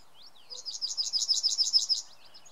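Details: Yellowhammer song recorded in May 2016, Samara Oblast, Russia. A few thin introductory notes lead into a fast, regular run of sharp, buzzy high chirps that swells in volume, then stops abruptly. Background is otherwise calm.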